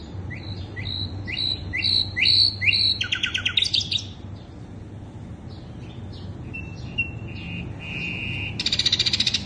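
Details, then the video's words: Sikatan londo flycatcher song used as a lure for other birds: clear high whistled notes repeated in quick groups, then rapid buzzy trills, short flat whistles and a final dense trill over faint low background hum. "Pancingan burung sikatan londo"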